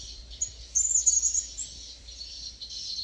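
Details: Approaching wild blue-crowned hanging parrot with a quick run of shrill, high thin notes lasting under a second, then quieter, over a continuous buzzing insect chorus.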